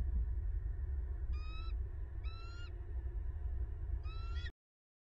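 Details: Bald eagle pair at a southwest Florida nest, recorded by nest camera on 10 December 2021 as the male arrives with a fish: three brief series of squeaky, stuttering chirps about a second apart, under heavy low-pitched rumbling noise.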